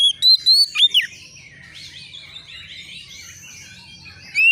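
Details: Young Oriental magpie-robin provoked by a rival: a few loud whistled slurs and a sharp down-sweep, then a quieter murmur of high chirps, ending with one more clear whistle.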